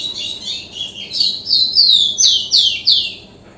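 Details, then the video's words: Close rufous-collared sparrow song: a few wavering high whistles lead into five loud, clear notes. Each note sweeps downward and they come at an even pace, roughly three per second. "3 Minutos de canto do TICO TICO ligeirinho | zonotrichia capensis"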